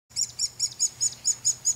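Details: Hairy Woodpecker young in a nest hole in a front-yard tree, being fed by both male and female parents; high, scratchy chirps repeated steadily about five times a second, with a faint low hum beneath.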